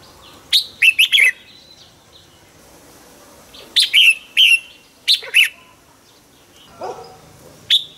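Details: Caged red-whiskered bulbul used as a decoy, singing in the morning to provoke other bulbuls: bright warbled phrases of quick sharp notes in bursts of about half a second, separated by short pauses.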